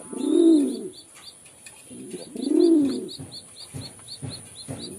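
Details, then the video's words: Two rounded, hollow pigeon coos rising then falling, followed by softer grunting notes, while a small bird ticks rapidly in the background. "Pigeon Sound"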